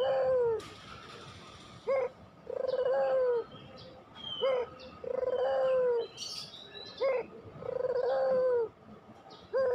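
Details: Barbary dove of the pelung type, used as a lure to make lazy doves coo; a short rising coo followed by a long, level, purring coo, repeated roughly every two and a half seconds, with faint chirps from other birds.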